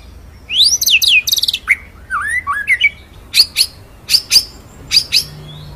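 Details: White-rumped shama, locally murai batu, giving ngerol nembak masteran song: swooping descending whistles, a few curved chirps, then sharp high clicking notes repeated roughly every half second.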